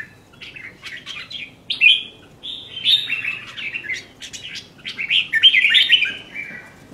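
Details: Red-whiskered bulbul in song, with chattering clicks leading into longer warbled, slurred whistles that build in loudness toward the end.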